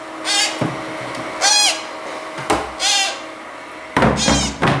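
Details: Young hand-reared Congo grey parrots give harsh, raspy calls with a wavering edge, each about a third of a second long, repeated roughly once a second.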